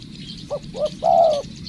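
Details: One cooing phrase from a spotted dove decoy bird in training: two quick soft notes, then a long, even coo. Insect hum in the background.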